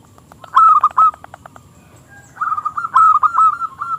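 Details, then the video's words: Zebra dove, a local perkutut with a small crystal-clear voice, singing to lure rival doves into song: short bursts of rapid rolling coos, then a longer run of soft trilled notes after a pause. "Perkutut Lokal Gacor suara KECIL Kristal AHLINYA untuk pancingan perkutut lawan MANGGUNG"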